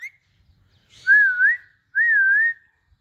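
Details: Young rose-ringed (Indian ringneck) parakeets sitting on a stick and playing together give two clear, mid-pitched whistles, each about half a second long, with a gentle wavering rise and fall.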